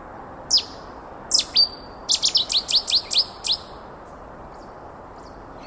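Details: Male Cetti's warbler from wetland riverside vegetation sings its powerful song, which defends his territory year-round and attracts several females. Two separate sharp notes lead into a fast burst of about eight loud, explosive whistled notes, followed by quiet.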